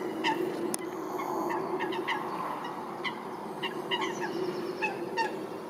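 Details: Eurasian coots fighting at Wilgenbos, Almere, Netherlands: short, sharp, nasal calls over a steady rush of splashing and churning water. The final part replays the start slowed down.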